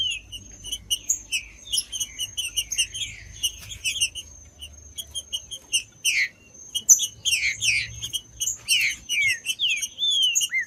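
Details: Green-winged saltator song meant to stimulate competition birds: choppy short whistles early, building to loud descending slurred phrases in the second half, with dense high chirping and a faint constant high whine.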